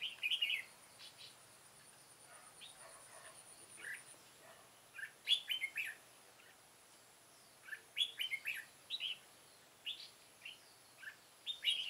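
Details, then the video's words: Caged decoy red-whiskered bulbul luring wild birds toward a trap, 9 September 2017: brief bright chirped phrases scattered irregularly over the clip, some louder bursts and fainter notes between, against quiet background hiss. "Bẫy chào mào Lăng xăng ngày 9/9/2017 - mồi già trở lại"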